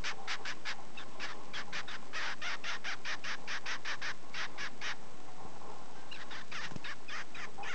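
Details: Double-barred finch, a pet owl finch, calling while being stroked after a full meal: rapid series of short nasal buzzy notes, about two or three per second, pausing briefly near five seconds before resuming.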